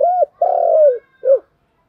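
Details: Continuous cooing of a spotted dove, thúc gù style: a short arched note, then a long mellow coo sliding gently down, and a final short rounded note, all low and clear against silence.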